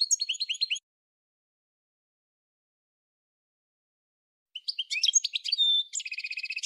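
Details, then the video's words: A singing goldfinch gives a short twittering phrase, goes quiet for nearly four seconds, then returns with a jumble of sharp chirps and a rapid, buzzy trill. "Goldfinch Singing - Amazing Singing"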